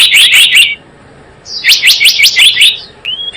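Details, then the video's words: Two short bursts of rapid, bright chirping from a Java sparrow trapping lure, the first under a second, the second longer, then one rising whistled note. "SUARA PIKAT BURUNG GELATIK BLOONG"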